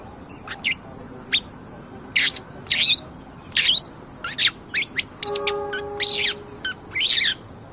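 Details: Captive long-tailed shrike singing actively, used as a training recording to provoke other birds: bursts of sharp, scratchy high notes and chips in uneven clusters, with a steady humming tone in the middle.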